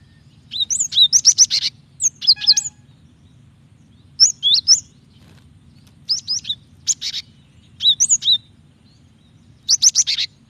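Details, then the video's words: Female Java sparrow calling the male to draw out his singing; clusters of high, sharp chirps and bell-like notes come in short bursts every second or two, separated by brief pauses, over a faint low hum. "Gelatik betina gacor memancing bunyi PALING AMPUH"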